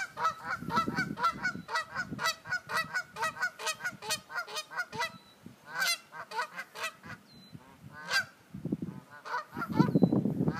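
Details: Geese on Sand Island honking at the person recording: a dense, nasal chorus of honks, about two a second, from several birds. Low rumbling noise rises at times.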